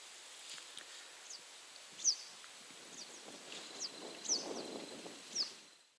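Little grebe giving sharp, high, thin notes, three clear ones a second or two apart with fainter ones between, over soft rustling background noise.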